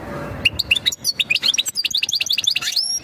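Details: European goldfinch mating song, sung to ready a female for breeding: rapid, tinkling twitter of quick chirps and trills that runs almost without a break, ending in a drawn-out rising whistle.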